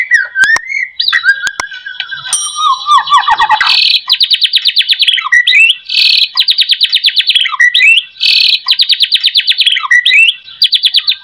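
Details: White-rumped shama lure song for getting other shamas to sing: varied looping whistles and falling notes at first, then repeated blocks of very rapid high trills, each ended by a short downward flick.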